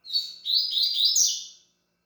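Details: Double-collared seedeater sings a fast, continuous, high twittering warble lasting under two seconds, slurred and rising toward the end.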